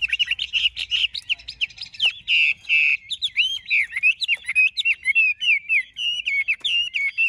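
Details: Chinese hwamei, large-bodied and caged, opening with rapid chattering notes, then a long drawn-out whistle and a sequence of loud, twisting, melodious phrases repeated in quick succession.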